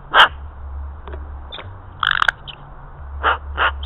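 An Australian magpie gives four short, harsh, dog-like barks: one single, a rough doubled burst, then two evenly spaced barks, over a low steady hum.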